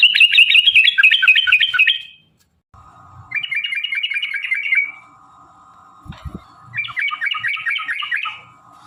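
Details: Yellow-vented bulbul giving a long fighting song meant to provoke other bulbuls to sing: rapid bursts of bubbly, warbling notes in three long phrases separated by short pauses, with a steady electronic hum in the background.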